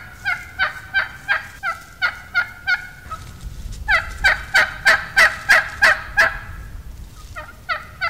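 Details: A wild turkey hen yelps in the plain style hunters use to draw gobblers: a quick string of about eight raspy notes, a short gap, a louder burst of similar yelps, then a few softer ones at the end.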